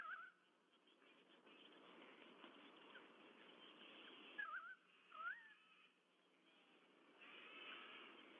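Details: Two white-bellied sea eagle (Haliaeetus leucogaster) nest chicks in Sydney Olympic Park, 14 September 2022, seemingly awaiting feeding, give a few thin, high, wavering squeals over steady hiss and background rumble.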